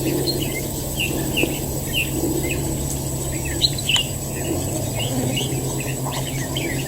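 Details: Red-whiskered bulbul kept as a fighting bird at a trap, uttering short separate chirps and slurred notes spread through the clip. A steady low hum fills the background.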